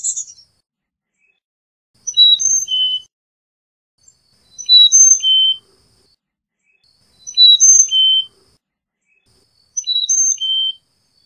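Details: Carolina chickadee singing slow, evenly spaced whistled phrases of four descending high and low notes, about one phrase every two and a half seconds in a quiet setting.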